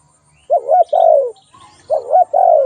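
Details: Spotted dove calling: two soft, low coo phrases, each a short wavering double note followed by a longer, smoothly falling coo.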